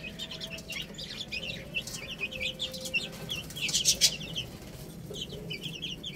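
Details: Many chicks peck at rice while peeping constantly, short high downslurred notes overlapping, with a cluster of louder clicking bursts midway.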